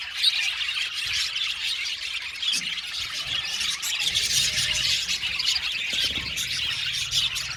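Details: Budgerigar colony in an aviary, many birds chirping at once: a dense, continuous wall of high warbling chatter and squeaky chirps with no pauses, steady throughout.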